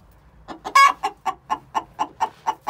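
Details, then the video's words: Two six-month-old hens giving the egg song before laying: a fast series of short clucks about four per second, broken by one loud drawn-out squawk near the start. "Chicken song before they lay"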